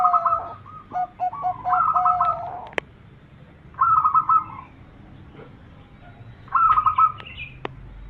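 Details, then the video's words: Zebra dove song, a champion bird's call used as a lure to attract birds and as a training sound: short bursts of soft, rolling, trilled coos, one longer phrase near two seconds, separated by pauses, with faint clicks between. "Suara Pikat Perkutut Juara"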